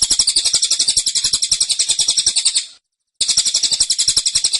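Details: Dense 'tembakan' burst from a caged cililin (Black-winged Flycatcher-shrike): a piercing, fast-pulsed high trill running nearly three seconds, a short silence, then the same rapid chatter again.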